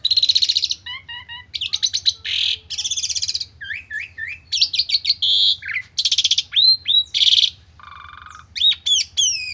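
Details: Asian pied starling in full song, mixing harsh rasping bursts with clear whistled slides, repeated stuttering notes and sharp rising swoops, closely packed with brief gaps; faint low hum behind.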